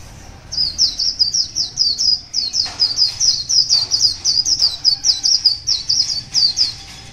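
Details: A wild white-eye, about one year old, sings in the morning: a rapid, continuous run of high, thin twittering notes, bright and jumbled, with no other sounds standing out.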